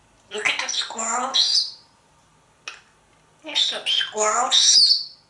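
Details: A male African grey parrot, hanging out indoors in an office with his owner, gives two bursts of squeaky, whistled and chattering notes, bright and high-pitched with a speech-like edge.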